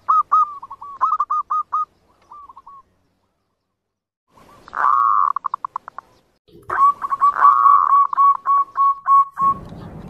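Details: Zebra dove song used as a trapping lure: bursts of rapid repeated cooing notes separated by pauses, with a louder rolling phrase mid-way and a final run of even coos, low noise at the end.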